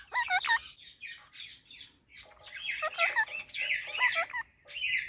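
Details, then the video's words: Talking Indian ringneck parakeet producing a stream of warbling, bending syllables mixed with raspy chatter in uneven phrases, rising and falling like mimicked speech. "Indian Ringnack parrot|Parrot talking|talking parrot"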